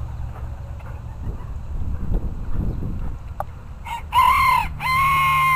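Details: Bantam rooster crowing, one of several bantams crowing: after a few seconds of low rumbling background noise, a loud harmonic crow with a short first note and a longer drawn-out second phrase ends the recording.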